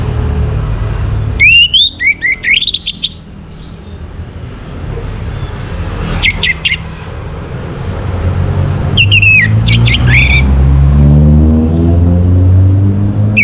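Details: Morning song of an orange-headed thrush, used to bring birds into breeding condition: scattered bursts of bright whistles and quick chattering notes, separated by pauses, over heavy low-pitched background rumble.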